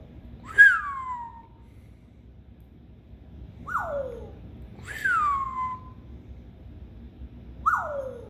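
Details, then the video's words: African grey parrot kept as a pet, producing newly learned sounds: four clear descending whistles, each sliding smoothly from high to low, spaced about two to three seconds apart in a quiet room. "the African Grey started making some new sounds!"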